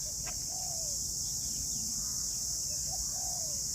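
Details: At sunrise in Vietnam, a dove gives two soft, slightly falling cooing phrases about two and a half seconds apart, each led by a brief note, over a steady high insect buzz.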